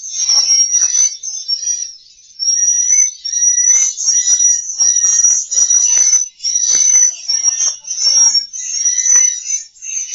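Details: Swiftlet roosting lure from a two-sound technique for a swiftlet house: a shrill, continuous chorus of rapid chirps, briefly thinning after two seconds, with light clicks and some lower twittering notes.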